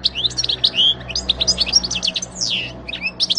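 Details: European goldfinch singing in 2018: a continuous jumble of sweet twittering and slurred notes, set against a steady low background hum.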